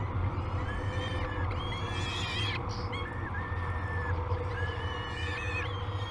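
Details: Peregrine falcon chicks at breakfast on Great Spirit Bluff, 22 May 2020, live camera: softer, drawn-out level whines rise and fall across several seconds, partly masked by a loud low rumble.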